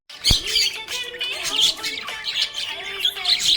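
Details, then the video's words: Happy budgie chirping: dense, scratchy high chatter with sharp squawks, over a steady low tonal musical background. "Happy budgie chirping sound"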